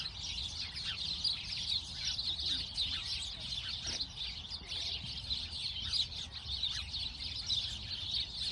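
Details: Little sparrows in a busy flock keep up continuous high chirps, quick sharp tweets layered thickly over one another with small swells in loudness and a soft low background rumble.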